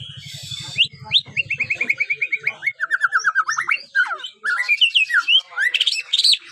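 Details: Young five-month-old white-rumped shama practising its song: long rapid series of repeated slurred whistles, then a jumble of rising sweeps, trills and squeaky notes, with a low pulsing hum at the start.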